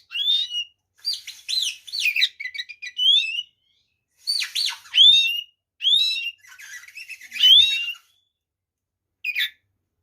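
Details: White-rumped shama in energetic fighting song for provoking other shamas: loud, rich whistled phrases with sharp upward and downward slurs, in repeated bursts with brief gaps.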